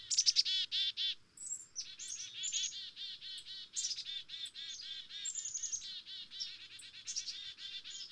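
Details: Black-capped chickadees in restless chatter, strings of hoarse buzzy notes mixed with high thin slurs, the calls tumbling over one another with hardly a break for eight seconds.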